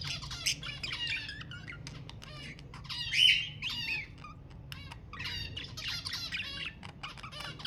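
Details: Budgerigar warble used to stimulate mating: continuous scratchy, buzzy chatter with layered raspy notes and one louder squawk partway through.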